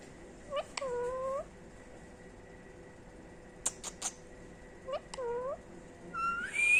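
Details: Pet female rose-ringed parakeet, three years old, mimicking the word "Mitho" indoors. Soft, clear, whistle-like syllables with sliding pitch appear in a few short phrases separated by pauses, ending with a higher rising note.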